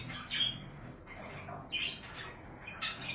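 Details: Pet budgerigar giving a few harsh squawks and brief chirps spaced about a second apart, quiet room noise between calls.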